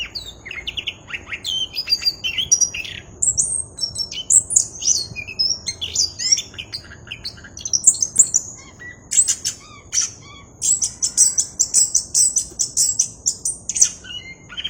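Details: Orange-headed thrush in full song with a clear voice: a long, busy run of high whistled and chirping phrases, quick trills and slurred notes, growing denser and louder toward the end, with faint background hum.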